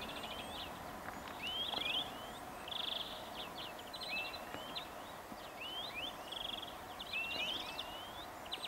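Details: Greenfinch song of quick rattling trills, rising whistled notes and buzzy phrases strung together, with soft steady outdoor background noise.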